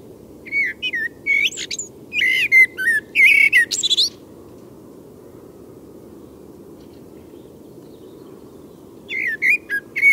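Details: Common Blackbird song at night, after midnight. Several bursts of fluted whistles mix with high chirpy twittering over about four seconds. A long pause follows, then a fresh phrase begins. Faint constant low rumble throughout.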